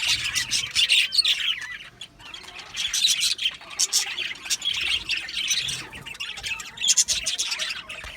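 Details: Budgerigars in an aviary colony, described as happy, chatter in bursts of scratchy high chirps and squawks separated by short quieter gaps, giving a pulsing rhythm.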